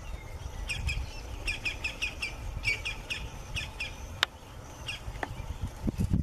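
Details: Campo flicker (Colaptes campestris) vocalizing live in nature: a quick run of about ten sharp, evenly repeated notes, then a few scattered single notes, over steady low rumbling background noise.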